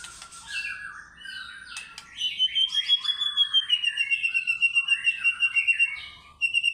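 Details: White-rumped shama singing in energetic fighter style, unloading its repertoire of song fills: varied chirps give way to a long, clear, slowly rising then falling whistle, followed by a rapid run of pulsed notes and a final high whistle.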